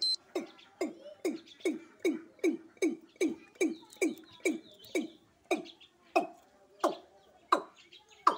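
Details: Watercock (kora) from Sylhet giving a long series of hollow, booming notes, each dropping in pitch, repeated about twice a second and slowing slightly toward the end.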